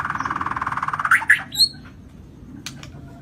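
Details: White-rumped shama of the Lampung type singing actively with a full repertoire of fill phrases: a fast, buzzy run of rapidly repeated notes that speeds up, then a few sharp chips and a short high whistle.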